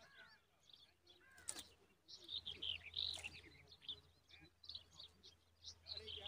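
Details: Common babbler chicks in their nest: a rapid, uneven stream of thin, high chirps and short squeaky notes, bunched in bursts, with a sharp click-like thump near the start and low background hum.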